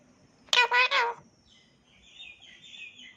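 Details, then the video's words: Pet talking parrot in Gujarat, India, kept at home, three loud harsh syllables in quick succession mimicking speech, followed by faint high whistled tones; a person's voice talks nearby. "Gujarati Talking Parrot Love U Mummy Bolne Vala Bittu"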